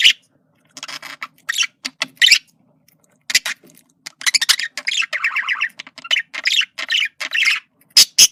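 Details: Male budgerigar communicating with rapid warbled chatter, buzzy clicks and short squawks, including a run of quick rising-falling notes, delivered in bursts with brief gaps.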